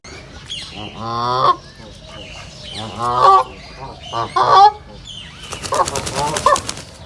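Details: Ducks in a reserve give separate bursts of nasal, honking quacks about every one to two seconds. A faint rustle, possibly wingbeats, is heard near the end.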